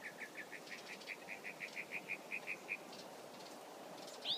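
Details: Mockingbird singing a fast, even run of about fourteen short chirped notes on one pitch, then a brief pause and a sharp upward-sweeping note at the end, over a soft hiss of background noise.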